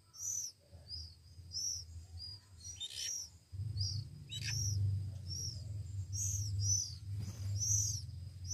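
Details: One-week-old Oriental magpie-robin chicks being hand-fed give high, arched begging squeals, roughly one per second and irregular, over a steady low hum and a few handling clicks.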